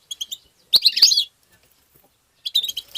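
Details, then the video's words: Singing European goldfinch, used to stimulate goldfinches: a few quick high chirps, then a loud buzzy twittered burst with two sharp clicks, a pause of over a second, and another rapid chirping phrase. "ندهات تبتة حسون مقنين بتبتات وتغريد الحسون بتبتة مجنونة لطيور"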